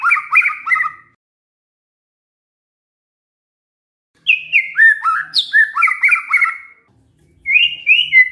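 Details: White-rumped shama singing a canary-imitating repertoire: bursts of rapid, slurred whistled notes alternating high and low, with pauses between phrases and a quick repeated trill near the end.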